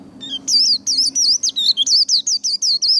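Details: White-eye singing as part of song training, a rapid series of about a dozen high, sharp, slurred whistled notes, each dipping and rising, repeated roughly every fifth of a second with brief gaps; faint low hum underneath.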